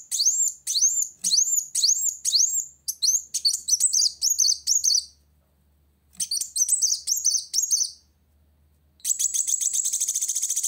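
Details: Olive-backed sunbird singing to challenge a rival, giving loud high rising notes at about two per second, then quicker buzzy trilled phrases with pauses, ending in a fast, dense, high-pitched rattle.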